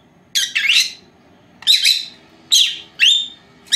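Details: Pair of young female lovebirds, four months old, at home during their nap, giving harsh high squawks with rising whistled inflections, three or four calls spaced about a second apart over a quiet room background.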